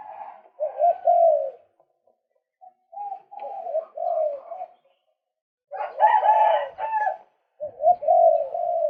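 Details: Male white-breasted waterhen, recorded to attract birds, uttering groups of nasal wavering croaks separated by silences, with one louder, harsher burst near the end.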